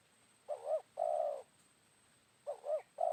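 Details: Wild spotted dove answering a decoy bird at a former hotspot, around noon after rain: paired short hooting notes followed by a drawn-out level coo, repeated twice, with a thin steady electronic tone in the background.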